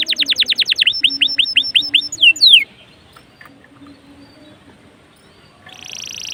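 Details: Lively canary song, meant to lure other canaries into song: rapid repeated notes slowing into ringing downslurred whistles, then near silence before a faint buzzy trill begins.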